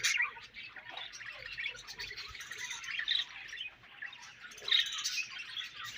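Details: Budgerigars eating their favourite food, giving an unbroken stream of soft, high twittering and chirps, with a few brighter notes standing out.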